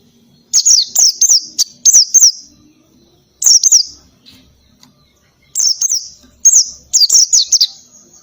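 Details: Oriental white-eye in ngalas style mixed with canary-style fill phrases, used as a training recording. Loud, very high chattering notes come in three rapid bursts of quick repeated chirps, separated by short pauses.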